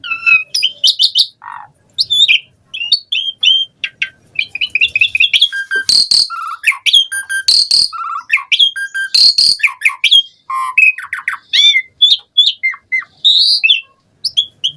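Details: Asian pied starling in an extended lively song full of variations, played as a lure for other starlings: continuous mixed whistles, chirps and ticks, punctuated by three loud harsh rasping bursts.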